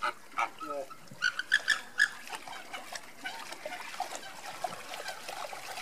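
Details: A flock of Andean flamingos, marching, gives short, nasal, goose-like honks, a quick burst of four or five near the start, over a steady murmur of flock chatter.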